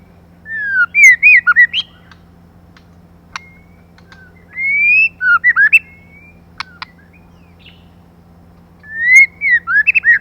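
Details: Female white-rumped shama singing, a recording used to stimulate males: three bursts of clear whistled phrases, each a long rising note followed by quick up-and-down warbles, with sharp clicks between the bursts.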